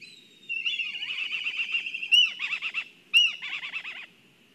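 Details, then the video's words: Black kite excitement at a nest in Kurzeme, Latvia, on a live nest camera: a continuous trembling, trilled whinny with two sharp high notes cutting in, each followed by stuttering quavers. "Satraukums ligzdā Melnās klijas (Milvus migrans)"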